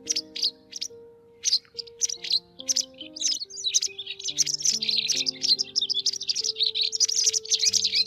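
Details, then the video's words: White wagtail netting lure for migrating birds, 2020 season: spaced sharp chirps that merge into a continuous high twittering chatter, accompanied throughout by held low musical tones. "Tiếng Chìa Vôi Trắng"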